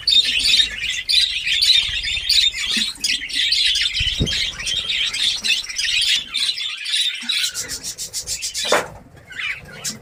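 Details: Captive budgerigars in a newly set up breeding colony in Darbhanga, Bihar, India, giving dense, continuous high chirping and warbling chatter from many birds at once, with a brief lower sweep near the end.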